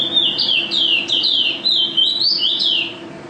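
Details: Champion mountain white-eye (pleci, national first place) delivering loud ropel-style song: a clear chain of about eight bright, down-slurred whistled phrases in close succession, above a faint low hum.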